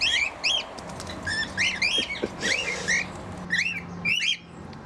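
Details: Cockatiels, including Charlie, a male, trade bright, rising-then-falling whistled calls, about two a second in quick bursts, singing to each other indoors over a faint steady hum.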